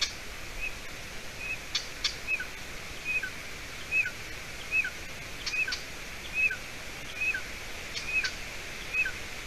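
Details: Young golden eagle at its Latvian nest, about 53 days old, late June evening, with the adult female bringing roe deer leg hide. Repeated thin, high peeps, each with a lower second note, about one per second, amid knocks and hiss.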